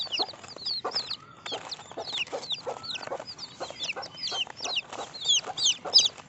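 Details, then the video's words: Many chicks cheep at once: rapid high-pitched peeps, some rising and some falling, tumble over each other without pause, while dull knocks and scuffling sound below. "Cute Baby Chicken Sounds"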